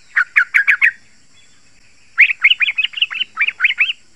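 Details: Yellow-vented bulbul song used as a lure to stimulate other bulbuls to answer: a short burst of four bubbly notes, a pause, then a longer run of rapid, chattering warbled phrases.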